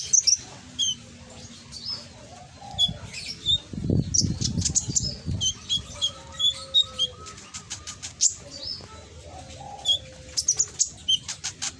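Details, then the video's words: Konin from Gresik, East Java, loud and ringing, used as a lure to prompt a reluctant bird to reply: high clipped chirps and whistled notes in quick bursts, with a brief low rumbling flutter midway and faint steady tones behind. "Pancingan konin yang malas bunyi langsung emosi ikut nyaut"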